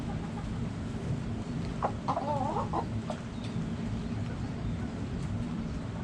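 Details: Backyard chickens: a short run of tonal, wavering clucks around the middle of the clip, then a few faint clicks, over a steady low rumbling background.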